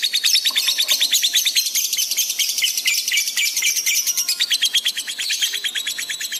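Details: Lovebird in full gacor chatter on a masteran recording made to train pet birds: a fast, buzzy, high-pitched stream of pulses, about two per second, running unbroken for the whole stretch, with faint low whistles beneath.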